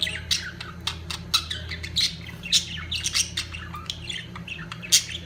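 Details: Budgerigars in their breeding peak chatter busily: quick high chirps and harsh squawks follow one another without pause, with a constant low hum beneath.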